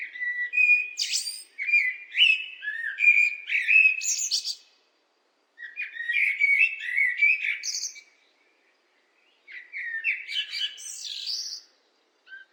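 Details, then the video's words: Blackbird sings three long phrases of mellow, fluty warbling notes, each ending in a high squeaky twitter, with short pauses between them. "What do blackbirds sound like?"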